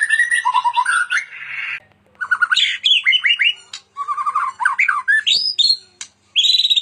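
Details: White-rumped shama in full, lively song, a master recording for training other shamas: a fast varied medley of trilled runs, rising whistles, harsh squawky notes and rapid chattering bursts, with brief pauses between phrases.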